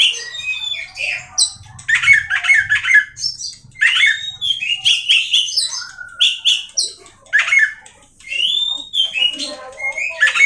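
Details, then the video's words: Oriental magpie-robin (kacer) in long, varied song: bursts of chattering, liquid warbles and sweeping whistles, separated by short pauses, with a faint low murmur early on. "awas Kacer nya jebol emosi dengar suara Kacer ini"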